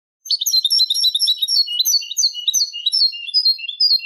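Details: A European goldfinch on a Málaga-style song tape used to tutor goldfinch chicks and hybrids sings a fast, liquid run of high twittering notes and tinkling trills, nearly continuous over four seconds, with no other sounds.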